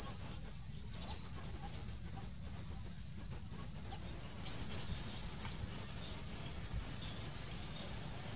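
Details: Long-tailed tit, a few scattered high notes at first, then a rapid run of thin, high twittering calls.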